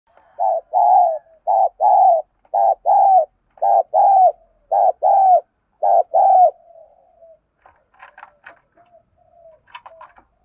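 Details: Spotted dove decoy bird cooing to provoke wild rivals into fighting, in a deep 'thổ' voice style. Low mellow coos in paired bursts, about seven loud notes over six seconds, then soft scattered faint sounds.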